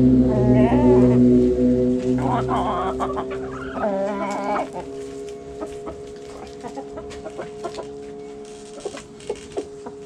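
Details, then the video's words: Backyard rooster crowing among hens: a loud drawn-out crow with stacked harmonics over the first four seconds, then fainter scattered clucks and clicks as the flock settles. "Backyard Chickens Relaxing Sounds Noises Video ASMR Hens Clucking Roosters Crowing!"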